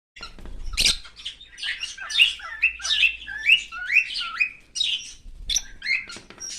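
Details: A pet cockatiel, recorded on August 4, 2025, gives a rapid run of bright chirping and warbling calls, some rising sharply in pitch.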